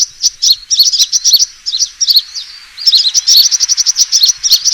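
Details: Sunbird fighting call played as a trapping lure: rapid high-pitched chirps and short twittering notes, densely repeated in bursts with brief pauses, bright and sharp throughout, no other sounds.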